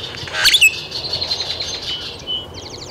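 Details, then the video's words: Great-tailed grackle, Taos, New Mexico, 17 June 2017: a sudden loud sharp double note, then a dry buzzy rattle and a quick series of high clicks at the end. "Great-tailed Grackle"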